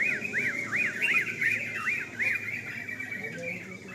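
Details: Sooty-headed bulbul singing at a night contest, giving a rapid run of arched, rise-and-fall notes about three per second, overlapping with other birds of the same kind and a faint low hum.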